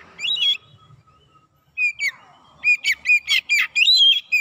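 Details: Oriental magpie-robin song played as a lure to agitate rival birds; scattered whistles and a sliding note give way to a quick series of sharp, ringing chirps and a final clear whistle.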